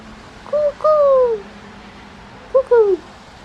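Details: Dove cooing in reply to a person imitating its coos: two soft phrases, each a short note then a longer falling coo, low and hollow, over a quiet background hum.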